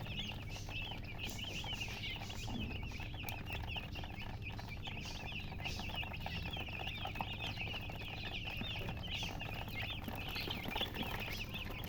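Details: Newly hatched chicken chicks piping loudly together, many rapid high trilled peeps running on without pause over constant low rumbling noise.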